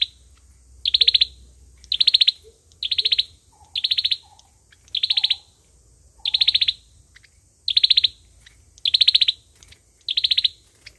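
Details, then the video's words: Olive-backed sunbird giving its fighting song, used as a trapping lure: nine short, high, rapid trilled bursts over eleven seconds, each a quick ticking rattle about half a second long, with faint soft lower chips between some phrases. "Tiếng chim sâu dừa | sâu dừa hót đấu | tiếng sâu dừa mồi"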